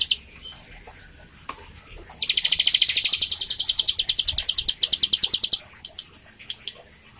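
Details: Lively bar-winged prinia song meant to prompt a young or silent caged bird to sing. After scattered chirps comes a rapid high trill of evenly spaced, pulsing notes for over three seconds, fading into a few isolated chips.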